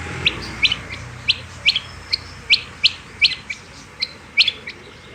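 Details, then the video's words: Rapid series of bright, rising chirps from a female rain quail, single or doubled, roughly every third of a second, over soft background hiss. "Rain Quail Calling Hd |Batair Ki Awaz |Female Quail Calling Batair Ki Awaz"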